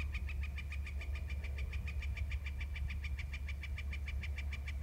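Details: Male eagle giving a sustained trill of quick, evenly repeated chipping notes, roughly six each second, unbroken for the whole stretch, with a steady low hum behind it.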